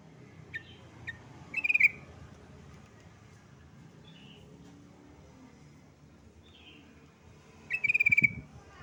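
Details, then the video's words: Yellow-vented bulbul calling out to a rival, giving two bright pulsed chattering bursts about six seconds apart, with a few faint short notes between them and low rumbling background noise. "BURUNG TRUCUKAN MEMANGGIL LAWAN"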